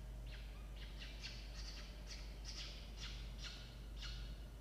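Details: Falcon at a nest holding newly hatched chicks, filmed by nest camera on 6 October 2023 at 16:43; a series of short, high, sharp chirps repeated roughly twice a second over a steady low hum.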